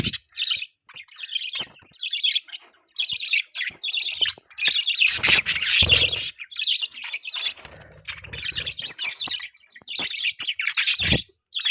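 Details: Morning budgerigar chatter during feeding: continuous buzzy, squeaky warbles in bursts separated by short pauses, with some clattering thuds mid-way.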